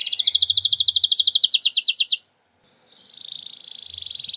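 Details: Canary lure song, 'nembak' style: a loud, rapid, rhythmic trill of sharp pulses for about two seconds, a brief silence, then a softer, steady, buzzy trill resumes. Low background rumble.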